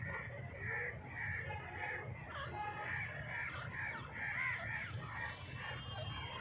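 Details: A grey francolin (Dhakni teetar) calls in a rapid series of bright clipped notes, several per second, briefly broken by a sliding note midway, against a droning low background.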